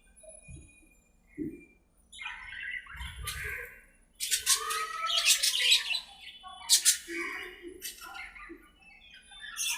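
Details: Budgerigars in an aviary, playing and talking to each other: busy warbling chatter of chirps, squeaks and harsh squawks, rising into dense overlapping bursts midway, with a few low knocks early on.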